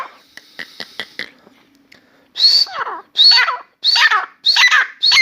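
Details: A newly calling Grey francolin (Dakhni teetar) indoors in a room, singing on and off for half an hour: a few soft clicks and ticks, a pause, then four loud grating phrases about every 0.7 seconds.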